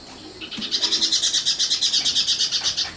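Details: Common nightingale (sikatan londo) delivering a fast, even trill of about twenty buzzy high notes, pulsing steadily for over two seconds.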